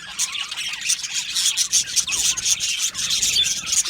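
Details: Budgerigar colony in an aviary, described as happy budgies, chattering together: a dense wash of rapid scratchy chirps and warbles overlapping continuously with short squawky notes.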